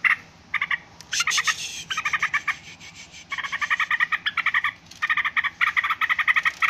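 Yellow-vented Bulbul giving loud, harsh chattering calls in quick bursts of short, bubbly notes, repeated almost without pause.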